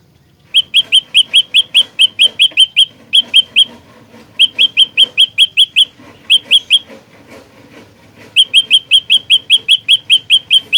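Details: Lively olive-backed tailorbird song used as a trapping lure in a fighting style: long bursts of loud, piercing chip notes fired rapidly, broken by short pauses, with faint background rustle.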